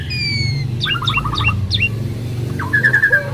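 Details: Two Asian pied starlings in duet: clear descending whistles, then a quick run of short stuttering notes and a final fast trill, over a steady low rumbling background hum.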